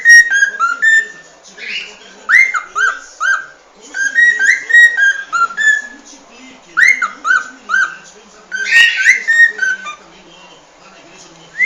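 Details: Whistling cockatiel song: repeated phrases of short slurred whistles, several rising then dropping, delivered in clusters about every second or two over a soft background hiss.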